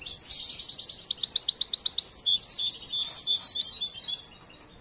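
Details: Young European goldfinch not yet finished learning its song: a burst of rapid, evenly spaced high chirps, then a loud tinkling twitter with thin whistles, trailing off into quiet near the end.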